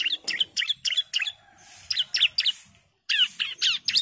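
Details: High, sharp chip notes from a female bar-winged prinia calling the male, given in quick uneven groups with brief gaps and a clear pause just before the last fast burst.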